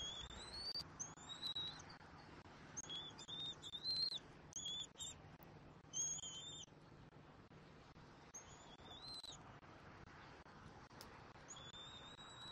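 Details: Bald eagle eaglet on its nest in Southwest Florida, 17 February 2024, during a feeding when its mother brings a pelt. Series of high, thin, whistled chirps, some rising, in irregular bursts, with a faint background hum.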